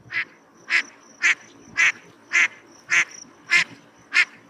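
A Gadwall gives harsh, nasal quacks, eight of them in under five seconds at a steady, even pace, with a faint thin high tone between them.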